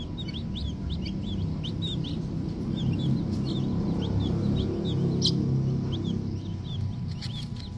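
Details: Green junglefowl chicks, still little, peeping continuously with brisk, thin, high notes, several per second and unevenly spaced, against a loud low droning background.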